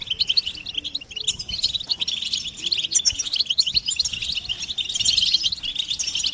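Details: Goldfinch group twittering meant to excite males into song, with mating and readiness calls; sparkling high chirps come in dense bursts, swelling louder toward the end.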